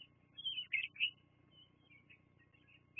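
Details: Bald eagles watched by a nest webcam on 24 September 2022 at 12:14. A few thin, whistled squeals cluster near the start, then fainter scattered peeps follow over a constant low hum.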